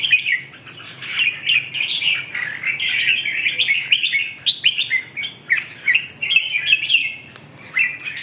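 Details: Red-whiskered bulbul delivering a continuous, lively stream of chirpy warbled notes, rising and falling quickly, with short gaps near the end before one more phrase.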